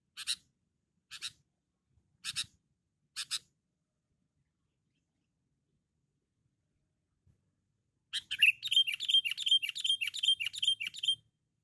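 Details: Sooty-headed bulbul, a loud, very vocal bird recorded for luring. Four sharp broadband clicks are followed by a fast chattering run of bright, repeated warbled notes lasting about three seconds, with a faint low hum beneath.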